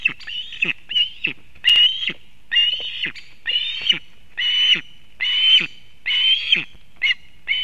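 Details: At a Latvian nest in Kurzeme on 31 August 2024, a female osprey brings fish to her chick: high, piercing whistled calls repeated a little more than once per second in a steady series, each note slightly rising.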